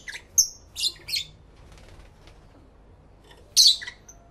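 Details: Lovebirds talking to each other in a clean stereo recording from two external microphones: three quick shrill chirps, a quiet gap of faint clicks, then a louder squeaky double call.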